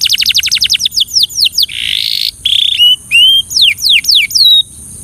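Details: Belgian canary singing for training: a fast series of high descending notes, then a buzzy trill, then whistled slurs and swooping downward notes repeated in quick rhythm.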